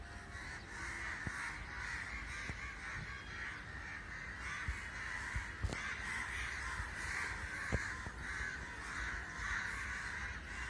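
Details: Large gathering of crows, said to be unusual and unexplained; a ceaseless mass of overlapping raucous caws swells and fades over ten seconds, broken by occasional sharp clicks and low rumble.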